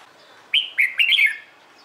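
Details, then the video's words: Red-whiskered bulbul in morning song, used to train birds to sing back: a single lively phrase of four linked whistles, rising then warbling downward, bright and clear over a quiet background. "CHÀO MÀO HÓT BUỔI SÁNG"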